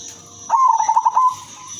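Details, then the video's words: Female zebra dove of the silver variety, used to draw in other zebra doves, cooing once: a rapid rolling trill on a steady mid pitch lasting under a second, against a faint constant high hiss. "perkutut/merbok betina silver suara merdu paling cocok jadi pancingan semua jenis perkutut"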